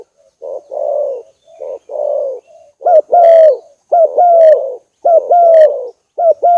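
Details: Lure recording of a spotted dove: soft, husky coos open the sequence, then louder clear paired coos, a brief note and a longer falling one, repeated several times.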